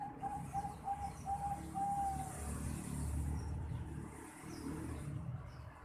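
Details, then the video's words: Juvenile Bangkok zebra dove, 4.5 months old, calling: five short, soft cooing notes in steady succession over the first two seconds, then only a steady low rumble of background noise. "Suara Teriakan Piyek Burung Perkutut Bangkok Umur 4,5 Bulan"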